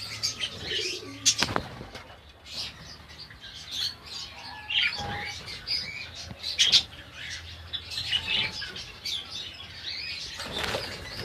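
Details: Budgerigar colony in Pakistan giving scattered short chirps and squeaky warbles, with bursts of sharp clicks and faint wing noise between quieter stretches.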